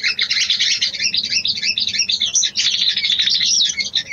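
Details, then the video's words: Female sooty-headed bulbul calling a male: an unbroken, energetic stream of high squeaky chirps and chatter. "SOGON BETINA MEMANGGIL JANTAN‼️ PANCINGAN BIRAHI"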